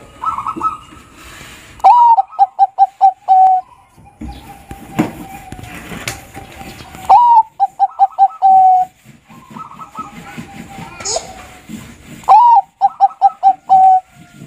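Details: Bangkok zebra dove repeating its cooing song three times, about every five seconds. Each phrase is a rising first coo, a rapid string of short coos and a long even ending note. Quiet background twitters and knocks fill the gaps.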